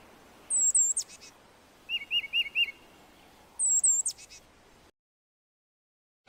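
A titmouse whistles a quick run of four clear, repeated notes, set between very high, thin, downslurred calls from another bird.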